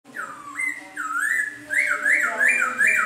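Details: Laughingthrush singing in the rain: loud whistled phrases that rise and fall, swooping in repeated arcs, faster and louder in the second half, with faint high overtones.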